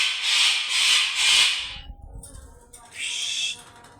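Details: Yellow-crested cockatoo (Cacatua sulphurea), screams: distress from heavy stress.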